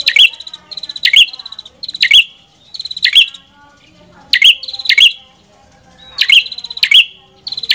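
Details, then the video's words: Red-headed prinia delivering rapid runs of high buzzy, stuttering phrases, each tipped with a piercing note, coming in quick bursts with brief gaps between groups. "Suara Burung Prenjak Kepala Merah"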